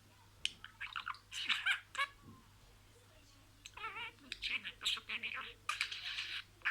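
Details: Budgerigar talking, saying words one after another: clusters of high, raspy syllables with wavering, voice-like warbles, separated by short silences.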